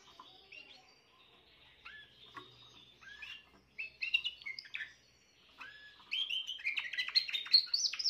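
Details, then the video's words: Spanish Timbrado canary, a young bird of this year, singing on 14 June 2023: quiet scattered notes building into louder rolling, bubbling chirp runs and high bright trills toward the end. "chant timbrado jeune de cette année"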